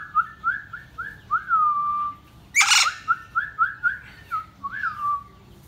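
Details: Indian ringneck parakeet kept as a pet, talking in short rising whistled syllables with a longer falling note, broken by one loud harsh burst, then more whistled syllables.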